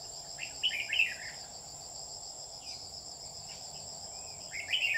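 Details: Trapping lure Red-whiskered bulbul, 27 July 2019, with a short warbled phrase at the start and another at the end, while insects drone steadily throughout.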